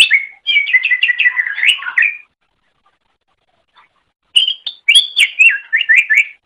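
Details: Greater green leafbird singing, recorded for teaching other birds to sing: a fast run of repeated chirping whistles, a silent gap of about two seconds, then loud, sliding, rising-and-falling whistled phrases.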